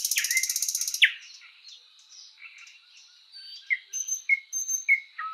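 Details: Sprosser singing in spring woodland: a rapid knocking rattle, a loud chirp, then quiet pauses broken by short whistled notes and clear descending chirps.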